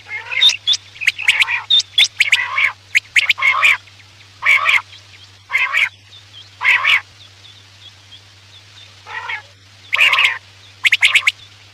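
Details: Quail calls played at night as a hunting lure: harsh, raspy bursts with bright whistled notes, repeated irregularly about once a second, with short quiet gaps between groups.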